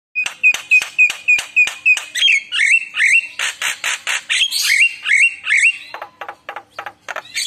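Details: Javan myna singing a lure song rich in varied fill-in phrases, meant to prompt other mynas to answer: rapid harsh squawky notes repeated about three per second, mixed with rising whistled slurs and a short buzzy burst near the end.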